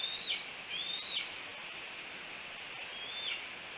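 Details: Bald eagle recorded at Decorah on 5 July 2018 near midday: a few high, thin whistles, each gliding down and ending in a brief sharp accent, with a pause between groups, over steady hiss.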